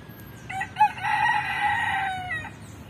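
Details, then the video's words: Rooster crowing once, a loud sustained harmonic cock-a-doodle-doo of about two seconds with a short rising start and a clipped ending, over a low steady background hum. "E o galo 🐓 cantou"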